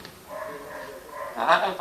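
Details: A five-year-old pet Eclectus parrot talks in a humanlike tone, mimicking things heard around the house: a soft, drawn-out phrase, then a louder, harsher burst of mimicked speech near the end.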